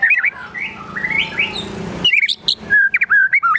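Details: White-rumped shama in agitated song: scratchy twittering slides give way to loud sharp whistles and short slurred notes, filled with imitations including sogon and kunti calls.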